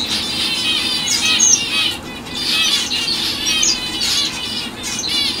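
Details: A fawn female zebra finch (Taeniopygia guttata) gives bright, nasal chirps amid busy, overlapping high twittering.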